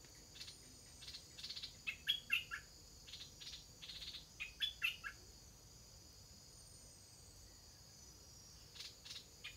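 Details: Young stripe-throated bulbuls near fledging utter quick bursts of three or four thin, bright chirps, then fall quiet for several seconds. A constant shrill insect hum runs underneath.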